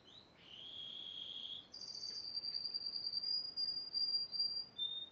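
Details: Yellow Spanish timbrado singing, recorded 2011: a brief high note, then a long sustained metallic trill. It steps up in pitch and rolls on for several seconds with a pulsing rhythm before a short lower phrase ends it.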